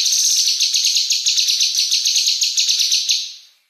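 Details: Caged female cucak kinoi singing a fast, dense tutoring song: a rapid run of sharp, high chattering notes at about four per second, sustained for three seconds before fading, indoors with no other sounds.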